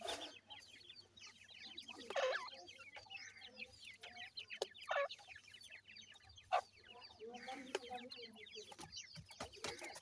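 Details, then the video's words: Seven-day-old grey francolin chicks feeding, keeping up a constant twitter of high slurred cheeps, with softer lower chirps underneath and several sharp knocks. "Voice of Gray Francolin Pheasant bird Chicks"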